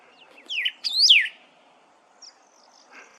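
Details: Pyrrhuloxia singing in the desert near Tucson, Arizona, in April 2023: a quick burst of three or four bright, slurred whistles, sweeping down then up, followed by two faint high notes against a quiet background.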